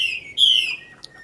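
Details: Tame Chinese hwamei, caged for more than five years in Hanoi, Vietnam, gives a single long, strong whistle that slowly falls in pitch, followed by a faint chip.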